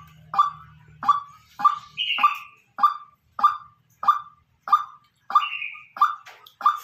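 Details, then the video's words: White-breasted waterhen decoy bird calling naturally: a steady series of short, harsh mid-pitched notes about every two-thirds of a second, with an occasional higher buzzy drawn-out note overlapping and a faint low hum at the start. "Tiếng quốc mồi kêu"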